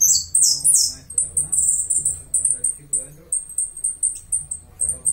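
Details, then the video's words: High descending sweeps from a Uruguayan saffron finch give way to a string of short, rapid metallic chips; faint human voices murmur in the background. "Jilguero dorado Uruguayo"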